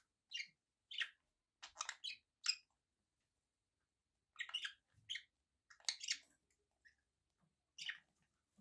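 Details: Budgerigars kept as pets give isolated short, bright chirps and squeaks in small clusters, separated by several quiet pauses.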